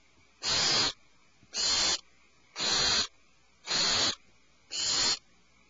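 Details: Five evenly spaced rasping screeches from owlets alarmed in their nest cavity, each about half a second long, roughly one per second.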